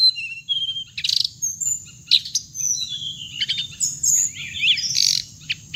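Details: Playback call of the hồng hạnh bird used for trapping: high tinkling chirps and short trills in irregular clusters, some buzzy bursts, with a steady thin high whine behind them.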